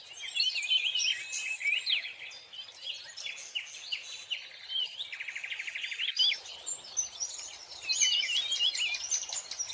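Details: Scarlet minivet calling: dense overlapping high whistled and chirping notes with sweeping slurs, a fast buzzy trill near the middle, then more bright sharp notes, suggesting several birds calling together against quiet natural background.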